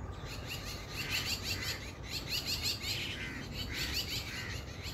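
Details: A family of mynas in a garden in India, chirping: bursts of bright, repeated notes in quick series, pausing briefly between bouts, over a low steady background rumble.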